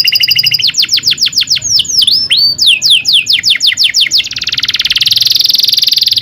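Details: Tutor song of a canary for teaching young birds: a steady high note opens, then fast repeated downward-sweeping whistles and a looping swoop, more descending notes, ending in a long rapid rolling trill that swells in loudness.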